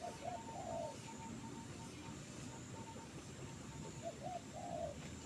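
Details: Trained bird singing in a jengkol tree: two short phrases of soft hoots ending in a drawn, wavering coo, with a faint steady mechanical tone and low rumble between them.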